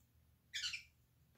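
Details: Senegal parrot, one of ten kept indoors in an office turned bird room, giving a single short harsh squawk lasting about half a second, high and noisy, over a quiet low hum.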